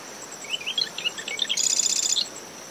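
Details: Singing marsh wren in dune shrubs surrounding its nest at dawn, post-storm winds blowing: a string of sputtering introductory notes rises into a fast, buzzy rattle of about two-thirds of a second, cricket hum and waves beneath.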